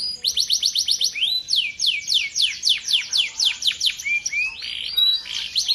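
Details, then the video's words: Champion male canary singing rapid repeated descending sweeps, several per second, in long rolling tours, ending with brief warbled and trilled notes, very high and continuous. "burung kenari jantan gacor juara umum lomba"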